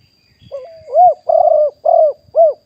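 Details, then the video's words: A live 2021 decoy recording of a wild spotted dove gives a soft rising lead-in note, then four rounded coos with two long, slightly wavering ones in the middle, against a quiet background. "นกเขาใหญ่ป่าเต็ม100% บันทึกสดเสียงต่อนก2564"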